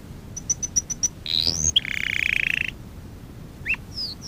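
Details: Lesson song of a canary meant for training young canaries: a row of six high, evenly spaced pure notes, a rising whistled slur, then a fast rattling trill, a short gap and a final upward whistle.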